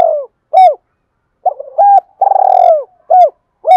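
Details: Spotted dove from Đồng Nai, a decoy bird calling to stir up wild doves. It gives loud, hollow, mid-pitched coos in short repeated phrases, including a longer rolling coo. No other sounds stand out.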